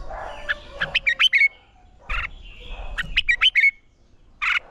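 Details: Red-whiskered bulbul in training song for singing contests: three brisk phrases of rising, chirping whistles, each ending in a short clear note, with soft lower chirps between.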